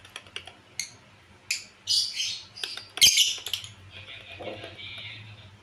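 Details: Female lovebird from a mated pair giving odd sounds: sharp clicking squeaks and a loud rasping burst, followed by a steady buzzy trill near the end.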